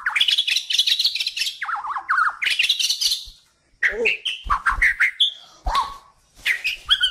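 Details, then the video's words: Kalimantan white-rumped shama singing as a training master song: loud high chattering runs and zigzag warbles, then spaced single whistles and sharp notes with short silences between. "SUARA KICAUAN BURUNG MURAI BATU KALIMANTAN HAJI MAHKOTA GACOR COCOK BUAT MASTERAN"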